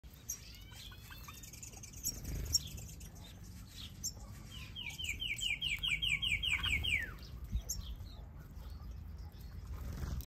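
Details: Purple grenadier in a finch aviary with owl finches and other birds gives thin, high whistles, then a quick run of about a dozen sharp, slightly falling notes, over other finch chirps and a low hum.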